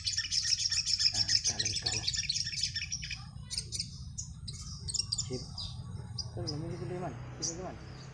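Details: Sunbird in a song contest at about four in the afternoon, when the birds are settling to roost and reluctant to sing. It pours out very high, thin, rapid twittering and trills for about three seconds, then scattered sharp chips; a human voice murmurs near the end.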